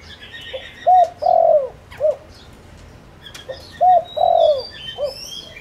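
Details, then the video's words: Decoy spotted dove used to lure wild doves gives two throaty phrases, each a quick upward note, a drawn-out dipping coo and a short final coo, while distant birds twitter in the background. "Tiếng cu gáy mồi đất gáy gọi kích bổi cực nhạy"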